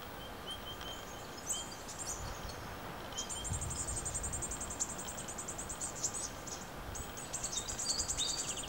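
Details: Brown-headed honeyeaters in the You Yangs west of Melbourne, gathering koala fur for their nests; faint chips give way to long rapid trills of very high buzzy notes over a steady outdoor background hiss.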